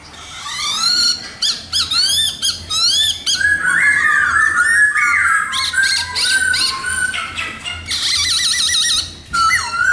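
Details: Black-throated laughingthrush singing a rich, varied stream of loud whistled slurs, rising and falling phrases and rapid harmonic notes, ending in quick wavering trills over a faint low hum.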